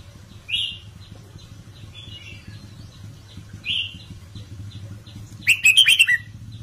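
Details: Caged red-whiskered bulbul singing the Indo-style counted song, played to excite other birds: short whistled phrases spaced through the clip, then a loud rapid burst of bright notes near the end, over a steady low hum.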